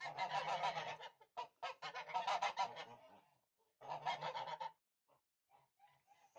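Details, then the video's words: A Tula fighting goose, a domestic Russian breed descended from the greylag and bred for fighting, gives harsh, nasal honks in rapid strings, pauses, then a final burst and a few softer calls trailing off. "Tula Fighting Goose"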